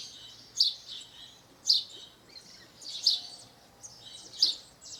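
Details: House sparrow singing in nature in Brazil: loud, clipped chirps spaced roughly a second apart, with softer twittering notes between them and a low steady hum underneath.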